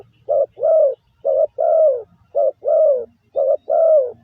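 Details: Caged spotted dove giving a lure call, a series of two-part coos, each a short note then a drawn-out, slightly falling coo, about four pairs repeated steadily.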